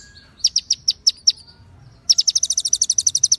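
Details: Konin white-rumped shama tutor song containing ciblek and cililin phrases: six spaced, slurred high chips, a short silence, then a fast, steady chattering run of sharp notes.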